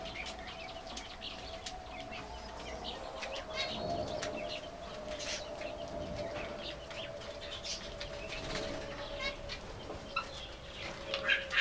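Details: Several zebra finches, males and females, in a garden aviary eating millet, with a brief stand-off between two males: short nasal chirps in quick irregular bursts, wing flutters, low hum behind.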